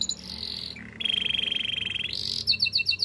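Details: Training song of a Spanish Timbrado canary: a steady high trill drops into a sustained buzzy, rattling roll lasting about a second, then rises again and ends in fast sharp repeated chirps.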